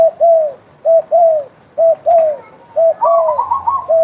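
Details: Spotted dove in lively calling, giving low hooting coo pairs about once a second, each a clipped note then a drawn-out downslurred one. A higher rippling coo sequence joins near the end.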